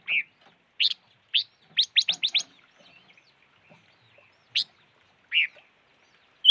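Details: Silver-eared mesia producing sharp, high chirps, singly and in a rapid cluster of four, then separated by pauses.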